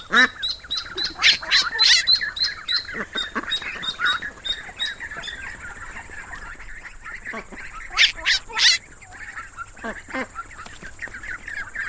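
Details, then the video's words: Ducklings peep in a busy chorus of high, thin cheeps, several overlapping, with bursts of sharper piping calls now and then. "The sound of ducklings"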